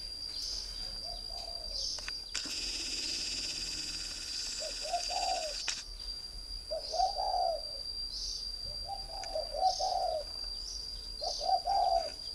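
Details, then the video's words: Caged spotted dove from northern Vietnam, kept as a decoy bird for three years, gives soft low hoarse coos in short two- and three-note groups, repeated every one to two seconds, over a steady high insect-like whine and faint rustling. "chim cu gáy hay miền bắc"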